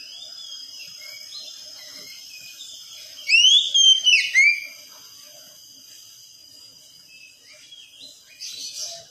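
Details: Young Oriental magpie-robin, in recordings used as therapy to get the bird singing in the wikplong style; a short burst of loud, swooping whistled notes rising and falling midway, with faint steady high tones throughout and a soft chirp near the end.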